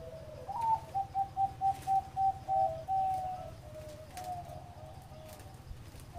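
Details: Zebra dove song in the ror tap style. A short rising lead-in is followed by a rapid string of about nine staccato coos, then softer, longer trailing notes, all over a constant low droning background.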